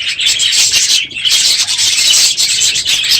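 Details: Budgerigar flock, the aviary at its fullest after the breeding season, calling noisily in the morning; unbroken shrill chirruping with a short dip near the middle.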